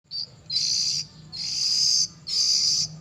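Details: Three-week-old oriental magpie-robin fledgling giving harsh, raspy, hissing calls, three broad noisy bursts of rising length, roughly half a second to three-quarters of a second each, with faint low hum beneath.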